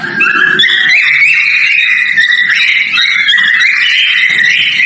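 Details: Male cockatiel whistling during breeding as a mating call: a dense run of warbling, wavering whistles held around mid-high pitch, continuous through the clip, with a brief low hum early on.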